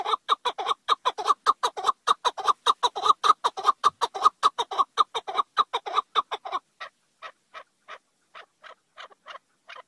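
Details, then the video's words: Chukar partridge giving a fast, loud run of clucking chuk notes that suddenly drops after six seconds to softer, slower, spaced notes. "partridge call.partridge chukar."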